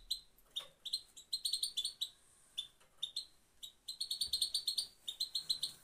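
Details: Female European goldfinch giving its single call type, known locally as pit pit: short, high, bright tweeting notes repeated in quick bursts, several per second, with brief pauses between runs.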